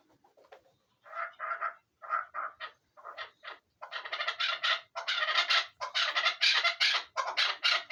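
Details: A chukar partridge calls in harsh, clucking bursts, first in spaced pairs, then quickening into a rapid, loud, continuous chuk-chuk run.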